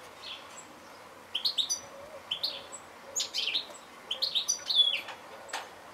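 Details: Goldfinch: after a quiet start, a string of quick, high chirps and liquid twittering notes, some rising and some falling, grows denser toward the end over light background hiss.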